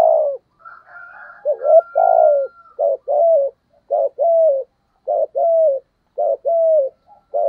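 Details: Spotted dove singing in the giọng thổ cooing style, low mellow phrases of short clipped notes followed by longer hooting coos, repeated several times in quick succession, with a faint thin steady tone early on.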